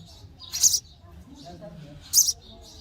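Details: Baby sparrows begging for food in the nest as they are fed, two brief high squeaky chirps about one and a half seconds apart over quiet background noise.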